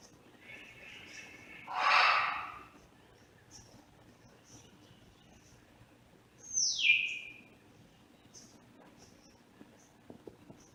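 A grey parrot gives a harsh, rasping squawk, then a few seconds later a clear whistle sliding steeply downward, over a faint hiss.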